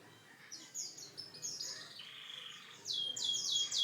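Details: Canary singing short high whistled notes and a buzzy roll, finishing with a louder run of quick sweeping trills.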